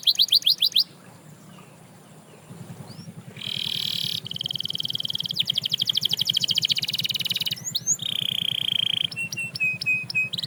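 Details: Canary song to inspire other canaries to sing: brief swooping notes, then a low steady hum under buzzy trills and sustained tones, ending with short clipped whistles.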